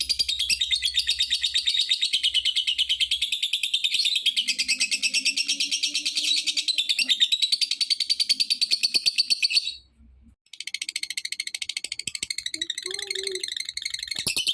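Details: Lovebird used to coax other lovebirds to call: long stretches of intense, high, rasping chatter made of very fast repeated pulses, broken by a short silence before resuming, with a faint low hum at times.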